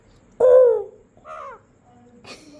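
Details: Pet parrot imitating a crow: one loud, rasping caw that falls in pitch, then a softer second caw and a short, sharp note, followed by a woman's voice in Bengali.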